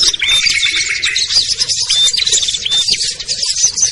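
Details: Small-bird lure sound used to bring wary birds such as ciblek, kutilang, trucuk, sogon and perenjak down: many high, twittering chirps crowd together, broken by brief pure whistles and a lower sustained chattering strand.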